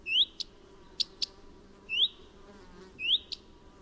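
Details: Repeated rising whistles from a common redstart, each followed by one or two sharp ticks, given about once a second over a low background hum.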